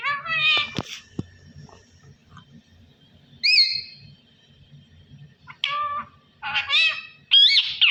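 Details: A parrot said to be talking "Allah Hoo" gives a few high-pitched, voice-like calls: a bright syllable at the start, a clear whistled note midway, then three quick squeaky phrases near the end, separated by quiet gaps.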